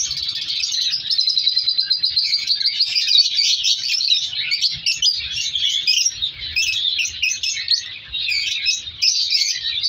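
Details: Colony of captive African color lovebirds, bred for colour mutations, producing dense, continuous high-pitched chirping and twittering from many birds at once, with faint low knocks underneath.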